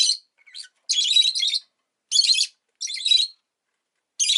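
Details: Harsh, screechy chirps from a pet rosy-faced lovebird, delivered as six separate bursts of varying length spread over four seconds, the longest lasting nearly a second.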